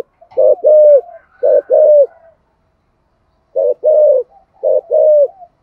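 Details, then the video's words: Spotted dove cooing, thổ voice style, to encourage other doves to coo: two bursts of low, mellow coos, each a short note followed by a longer slurred one, separated by about a second of silence. "cu gáy thúc gù giọng thổ hay và chuẩn nhất 2023/ tiếng chim cu gáy kích bổi"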